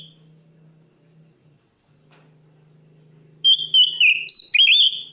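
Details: Oriental magpie-robin calling out to a rival. A faint low hum runs first, then a loud run of whistled notes, slurred and falling, with quick chips, breaks in near the end.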